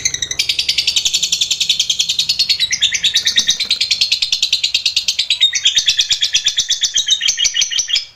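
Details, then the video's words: Long ngekek trill of a lovebird used as training material for other lovebirds: a continuous, high, rattling chatter of fast repeated notes that lasts the whole eight seconds and shifts slightly in pitch. "Masteran* lovbrid GACOR ngekek panjang"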